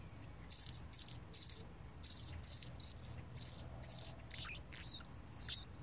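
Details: Hummingbird, a male singing with energy: regular high-pitched, dry, scratchy buzzes repeated roughly twice a second, about eleven phrases, the last few more broken and twittering, over a faint low hum.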